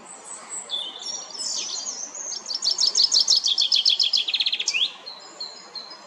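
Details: Singing common chaffinch in a Geneva lakeside park, Switzerland. Scattered thin whistles from other birds come first, then a loud cascade of quick repeated notes closing with an upward flick near the five-second mark.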